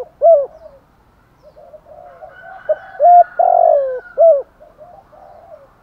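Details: Spotted dove calling in the thúc gù or gáy gọi manner: a few sharp, low coo notes and one long, rough, drawn-out coo, set against quieter murmuring coos in the background.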